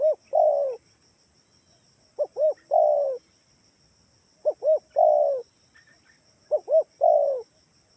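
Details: Spotted dove lure call, Kalimantan type, used to make other doves respond: four three-part coos, each two short hoots followed by a drawn-out falling note, in a quiet setting.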